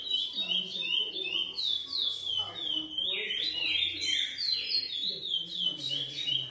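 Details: Lesser seed finch, a captive-bred bird from GP and Coimbra song lines, delivers rapid chains of rising and falling whistles, with a lower descending slur midway and soft muffled talk behind.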